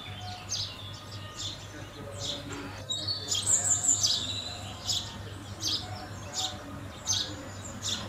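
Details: Repeated sharp chirps from house sparrows at food, irregularly spaced, with a louder burst of twittering and high whistles in the middle against a constant low hum.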